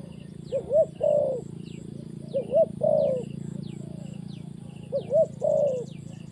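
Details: Spotted dove decoy calling on the ground during trapping: repeated deep coos, each phrase a brief two-note lead-in followed by a sustained wavering croo, spaced about two seconds apart, with thin high whistles from other birds.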